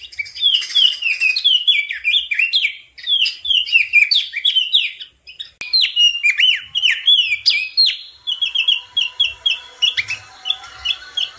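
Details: Crested white-eye delivering a long, rapid warbling song of bright chirped notes strung together, slowing into evenly spaced repeated twitters near the end.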